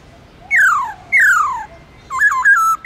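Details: Caged black-throated laughingthrush singing forest-style song with long slurs: two loud whistles sliding steeply downward, then a quick wavering run of looping notes swinging up and down before a final clear tone.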